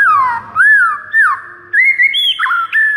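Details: White-rumped shama morning training song meant to make caged birds sing and call: loud, smooth whistles that swoop down and up in rounded arcs, followed by higher held notes with quick breaks.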